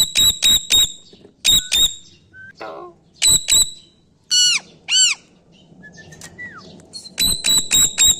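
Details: Pet parrot copying a barking dog: quick volleys of three or four sharp, ringing barks, a few curved squawks between them, and another rapid burst of barks at the close.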